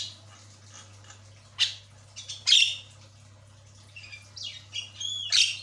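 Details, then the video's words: Javan myna chatter: harsh, raspy squawks mixed with short squeaky whistles and slurred notes in irregular bursts, over a faint steady low hum. "JALAK KEBO MACET, DIJAMIN LANGSUNG CEREWET"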